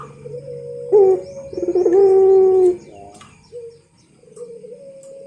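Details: Champion puter pelung dove singing a master song. A rolling burst of pulses runs into a long, even, low coo. Softer coo fragments follow, with quiet chirps from other birds.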